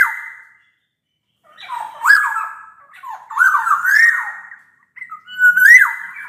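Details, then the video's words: Singing black-naped oriole, a recording to stimulate lazy orioles; a short whistle, then rising flute-like slurs and warbled phrases, closing with a sharp upward swoop into a held whistle. "Suara kepodang gacor ini bisa di jadikan pancingan kepodang malas bunyi"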